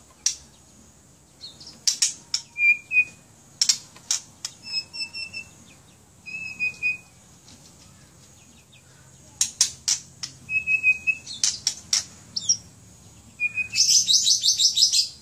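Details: Caged White-rumped shama from Aceh singing: sharp high whistles and clicks in short bursts, steady level whistled notes between them, and a buzzy rapid trill near the end, over a low background hum.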